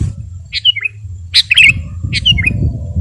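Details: Sooty-headed bulbul singing, meant as prompting song for other caged birds: three separate short phrases of liquid whistles that step downward, spaced about eight-tenths of a second apart, against faint low background rumble.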